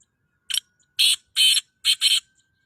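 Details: Calling black francolin, locally kala teetar: five loud, raspy, noisy bursts, one brief opener followed by two drawn-out grating notes and a fast paired ending, each separated by short gaps in an otherwise quiet background.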